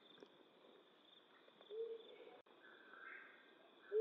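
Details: Flammulated owl hooting at night: a soft, low, slightly drawn-out hoot near the two-second mark, then a louder low hoot cut off at the very end, over faint steady background hiss with a brief higher tone between them.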